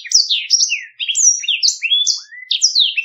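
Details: Clear rolling song from a Black-throated canary, recorded as a model for other birds to learn: bright high slurred whistles and descending notes in quick, evenly spaced bursts.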